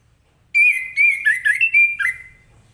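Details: Morning 'ngeplong gacor' singing of an orange-headed thrush, used to make other birds respond. A clear whistled phrase of about two seconds, with quick warbled notes that slide slightly downward near the end.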